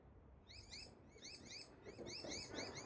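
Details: Wild pair of Australian Galahs (Rose-breasted Cockatoos) in park trees during a pair bonding ritual; after a brief pause, a rapid chatter of arched, rising-then-falling whistled notes with bright overtones runs continuously, growing louder.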